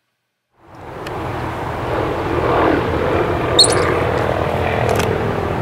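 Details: A steady engine-like rumble, like a propeller aircraft, swells up from silence and holds, with a brief sharp high click midway and no animal voice.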